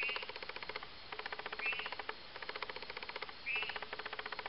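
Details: Possible spotted crake, identification unconfirmed and recording poor quality, giving short, sharp rising whistles about every two seconds among rapid buzzy ticking trains.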